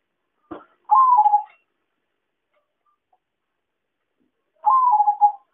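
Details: Zebra dove lure recording used for trapping birds: a short click, then two soft, mid-pitched cooing phrases about four seconds apart, each a slightly falling, rolling coo, in a clean, quiet background.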